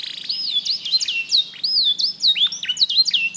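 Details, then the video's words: Black-red mosaic canary giving clear whistled notes that dip and rise in smooth, wavering slurs, repeated several times in a loose sequence. "BEAUTIFUL SONG OF BLACKRED MOSAIC CANARY"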